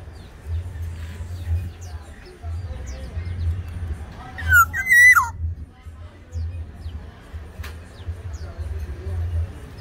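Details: Tame black-naped oriole from Sumbawa singing actively: one mellow whistled phrase midway, dipping and rising then falling, amid human voices, faint music and low hum.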